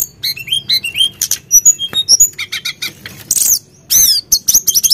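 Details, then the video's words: Actively singing Sunda blue robin, used as a provoking lure: rapid, varied high chirps and upslurred whistles, some harsh squeaky notes, delivered in a busy, uneven stream. "Pancingan Emosi Burung Tledekan Gunung Gacor"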